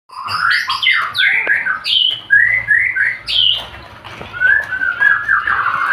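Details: Male white-rumped shama, Indonesian murai batu, singing a full-fill tutored song style: rich, fast-changing whistled phrases sweeping between low and high notes, with trills and chirps, nearly continuous over six seconds, with faint low hum behind.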